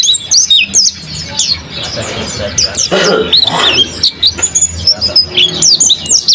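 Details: A captive mountain white-eye sings energetically in high, twittering chirps and slurred notes, broken midway by a blurred, noisy patch of lower sound around the third second before the bright chirping picks up again.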